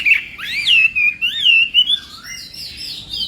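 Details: Chinese hwamei singing in contest style during morning voice training, a flowing run of loud slurred whistles that swoop up and down, then higher wavering phrases toward the end.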